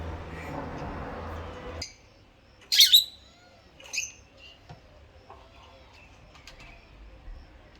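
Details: Two pet rosy-faced lovebirds chirping; background noise stops suddenly, then a loud, harsh squawking chirp, a second shrill note a second later, and softer scattered twittering.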